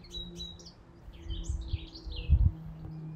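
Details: Male European goldfinch singing in spring from the very top of a willow tree: fast, tinkling, twittering phrases of high, slurred notes, over a steady low rumble of road traffic.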